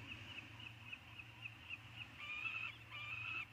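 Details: Three peregrine falcon eyasses back in their eyrie on Anacapa in June 2019; thin high calls, first several short notes then two longer drawn-out whining cries in the second half, over a low steady hum.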